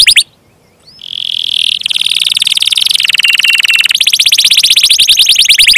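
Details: Gacor canary singing loudly in rapid rolling trills, high and bright, with shifts in pitch and speed every second or so and fast repeated notes toward the end.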